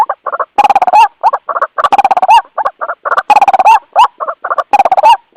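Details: White-breasted waterhen calling its companions for luring: strong repeated phrases of rapid croaking pulses ending in a drawn-out squawk that bends upward, roughly one phrase per second, steady and loud.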